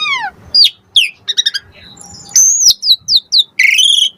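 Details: Asian pied starling lure song, used to make birds answer: a falling whistle, sharp upslurred chirps, brief clicks, then a high drawn-out whistle and a harsh buzzy note at the end.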